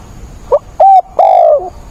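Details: Decoy spotted dove in a 28 October rainstorm, cooing strongly to provoke wild doves: a brief low lead note, a level coo and a long coo that gradually drops in pitch.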